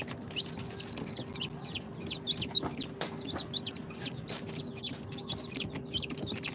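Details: Young chicks, hatched in an incubator two days earlier and including Sultan, Golden Sebright, Cochin and booted breeds, chirp in clustered bursts of high, sharply falling peeps, with occasional clicks and a constant hum.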